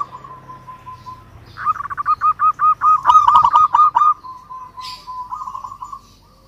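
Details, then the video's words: Local zebra dove giving an agitated call toward a rival: a soft sustained tone swells into a loud string of rapid repeated notes, then fades back to a faint steady hum. "Perkutut Lokal GACOR Suara Ampuh MEMANGGIL Lawan Langsung BUNYI Emosi MANGGUNGG"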